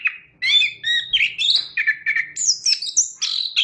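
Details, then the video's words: Chestnut-capped thrush singing, a varied run of clear whistled and warbled phrases jumping between mid and high pitches, each note short and separated by brief gaps. "Suara Burung Anis Kembang"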